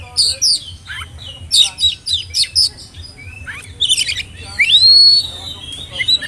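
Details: Oriental magpie-robin, spotted young-bird form, whistling as a lure so young birds sing along; dense rapid scratchy chatter of varied short notes, ending with a long loud rising then gliding whistle.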